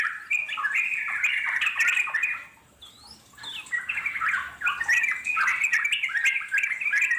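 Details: Wild yellow-vented bulbul giving long ngeropel chattering song, intended to make wild birds reply: rich bubbling notes for over two seconds, a short near-silent gap with one thin high note, then the dense chatter resumes.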